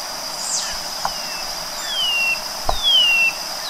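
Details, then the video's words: White-bellied seedeater singing: two long, clear whistled notes, each sliding smoothly downward, sounded late in the clip after scattered faint slurs, over a steady high-pitched insect-like drone and a couple of soft knocks. "Canto do Chorão"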